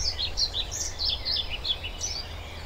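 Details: European pied flycatcher song: a clear run of about a dozen high, rhythmic two-part notes, sweet and slightly descending, delivered quickly over a low rumble of background noise.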